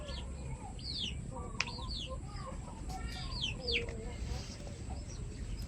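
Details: Chickens kept as pets, among them new flock members, utter high, quick downslurred chirps in loose bursts, with softer lower clucks between them.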